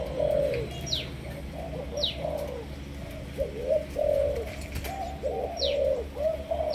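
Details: Spotted dove of Malaysian stock, a decoy bird, delivering sấm thổ-style cooing: a steady run of low, rounded coo notes in short rolling phrases. Steady background hum and occasional thin, high descending chirps from other birds accompany it.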